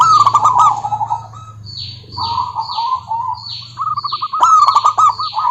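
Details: Female local zebra dove (perkutut) calling a rival: wavering, rolling mid-pitched notes in bursts that pause and resume. Thin, high, falling sweeps repeat above, with clicks and a steady low hum beneath.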